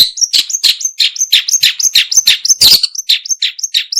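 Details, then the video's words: Long-tailed shrike, used for luring birds: a fast, continuous, varied warble mixing harsh scratchy notes with thin high whistles, about three notes a second, with no pauses. "Suara burung pentet/cendet"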